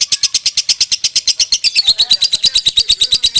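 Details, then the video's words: Lovebird in konslet song, a nonstop stream of quick, shrill chattering notes repeated at a fast, steady pace. The notes slide slightly lower partway through, with soft low thumps underneath. "LEGENDA LOVEBIRD KONSLET KUSUMO || SUARA ASLI LOVEBIRD KUSUMO"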